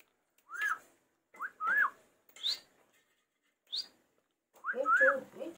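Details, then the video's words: A talking pet parrot gives five short whistled notes over about five seconds. Each note bends up and down, and the last is richer and voice-like. A person urges it to speak just before. "bolne wala cute tota"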